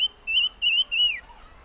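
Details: Chim ngũ sắc giving a short phrase of three quavering whistles run closely together, the third sliding down at the end, followed by a faint lower note.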